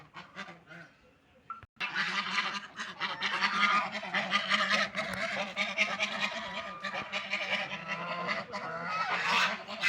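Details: After a short quiet start with a few sharp clicks, ducks eating and drinking erupt into a continuous chorus of rasping, honking calls that lasts to the end.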